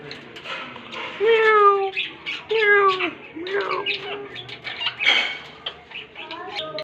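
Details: Green parrots talking: squawky, speech-like phrases with bending nasal tones and harsh screeches, in a small room.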